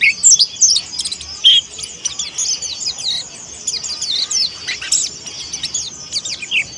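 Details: Indonesian white-eye, a young Monty-type bird practising its voice, producing busy high-pitched chirping with a few louder clear notes near the start, then a steady stream of thin twittering.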